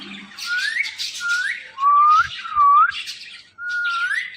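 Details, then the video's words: Pet Indian ringneck parakeet gives clear, pure whistles, each sliding upward, about five in a row with brief gaps, over soft background chatter. "The Best Indian Ringneck Talking Parrot"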